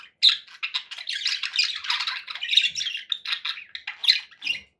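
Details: Pet parakeets produce dense, continuous chatter of harsh squawky notes and rapid buzzy chirps with a few sharp louder calls.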